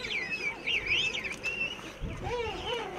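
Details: A dense chorus from a huge king penguin rookery of thousands of breeding pairs and their chicks on Salisbury Plain, South Georgia: overlapping wavering, trumpet-like calls rising and falling in pitch.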